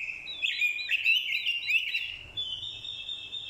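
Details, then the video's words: Fighting song of a decoy orange-headed thrush, set off by a female's call: a dense, fast-warbled whistling phrase for about two seconds, trailing into a steady thin high note. "Chim Quế lâm mồi, hót đấu cực hay. kèm tiếng quế lâm mái, kích trống hót đấu hay."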